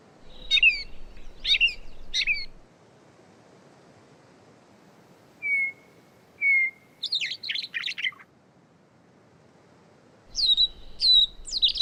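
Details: Mimicking Gray Catbird copying a host of other species instead of its normal plain warble: rapid high chirp clusters, two long steady whistles, a burst of jumbled twittering, then more quick high slurred notes, with a faint low rumble.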